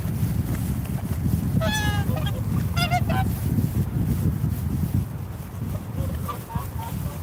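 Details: Swans calling with bugle-like, nasal honks, a quick run of stacked notes near two seconds and another near three, then softer honks at the end, over steady low wind rumble.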